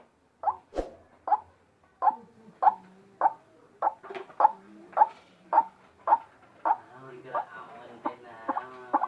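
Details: White-breasted waterhen making an unusual call: a run of short, harsh, nasal notes, about two per second, fairly steady and fading a little toward the end.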